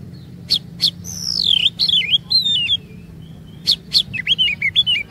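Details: Oriental magpie-robin song used as a lure to make other magpie-robins sing long phrases: sharp high clicks, then varied whistled notes rising and falling in wavering loops, a pause, and more clicks and twisting whistles over low background hum.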